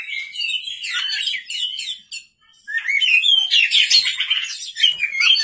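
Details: White-rumped shama singing at night as a lure: two energetic bursts of varied whistled and chattering phrases split by a short silence.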